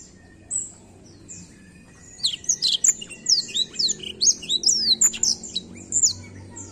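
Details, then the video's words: Black-throat song: after a lone high note, a fast run of sharp, high whistled and slurred notes, mostly falling sweeps, repeated several times a second for about four seconds, with a faint low hum beneath. "a bela canção do pássaro blackthoat"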